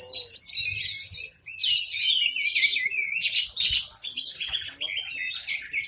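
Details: Kept Orange-headed thrush in strong song, tail fanned, prompting nearby birds to sing; rich jumble of fast whistled slurs and scratchy notes rising and falling in waves.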